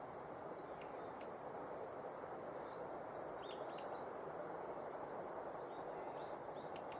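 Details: Morning activity of a female Daurian redstart at Yanagishima Beach, Japan, in November 2021: high thin whistles repeated about once a second, interspersed with brief ticking clicks, over a steady low rumbling backdrop.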